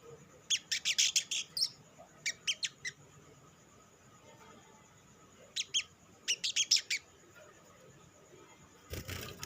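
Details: High, rapid clusters of sharp chips from an olive-backed sunbird lure song used to stir other sunbirds into song, coming in short groups with a long quiet gap between them and a brief rustle at the end.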